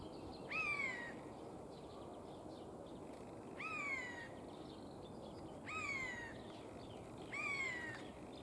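A Eurasian jay gives four harsh, rasping screeches, each falling slightly in pitch, spaced about two seconds apart over a steady background hiss.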